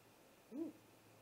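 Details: Great horned owl attacking a nesting great gray owl, captured by a live nest cam at 00:03 on 30 March 2018. A lone short, low, arched hoot with a clear overtone, over a quiet, steady hum.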